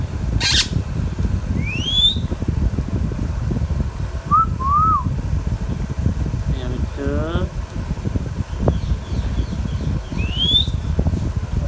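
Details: Pet Indian ringneck parakeet talking: a sharp rising whistle, a short wavy two-note whistle, a harsh buzzy vocal burst, then another rising whistle, with a click and constant low room noise.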